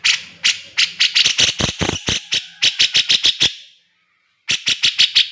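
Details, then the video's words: Grey-cheeked bulbul in energetic song from a training master recording for cage birds: rapid runs of harsh, chattering notes repeated several times a second, one short silence, then another fast burst. "burung cucak jenggot gacor || masteran cucak jenggot"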